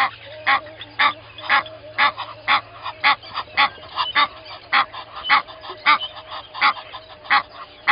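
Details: An Egyptian goose pair at Gowrie dam waterhole, Djuma Game Reserve, Sabi Sand, South Africa, at 05:32 on 12/01/20, gives harsh honking calls in a rapid run, nearly two per second, over a steady low hum.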